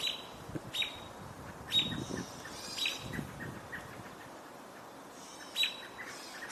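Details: A couple of different Gray Catbirds calling on 17 July 2025 amid robin alarm calls, possibly reacting to a nearby hawk: sharp high chips with a short harsh burst, about a second apart, over low rumbling background noise.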